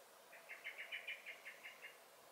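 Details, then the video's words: Common blackbird alarm calling in a garden in May 2021: about ten harsh notes at an even pace, loudest in the middle of the series, then fading. "Song and Alarm Calls of the Blackbird"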